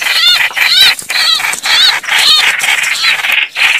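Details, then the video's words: Red-whiskered bulbuls (Pycnonotus jocosus) fighting give harsh, bubbly chattering calls with rising and falling whistled notes, bursts repeated about twice a second. "Tiếng chim Trao Trảo(Hoành Hoạch, Chào Mào) đánh nhau | The sound of the species Pycnonotus jocosus."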